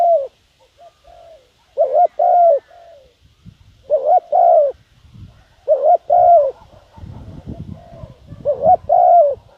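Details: Decoy spotted dove repeating its coo to lure wild doves. Four phrases of a double coo and a long coo arrive about every two seconds, with low rustling and knocking noises toward the end.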